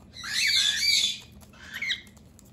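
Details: An indoor cockatiel fights off a human raiding its hideout, giving a long, loud, grating hiss-squawk followed after a short pause by a briefer harsh rasp, with light fluttering in the background.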